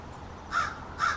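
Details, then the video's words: American crow from a small family group in a backyard, calling in an extended exchange: two harsh caws about half a second apart, each a short broad burst. "American Crows Calling"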